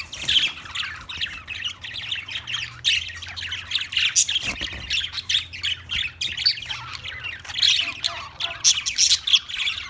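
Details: Budgerigar, an Australian parrot, warbling and chirping in a steady, busy stream of short, scratchy and whistled notes, with sharper squeaky peaks near the end and a faint low hum underneath.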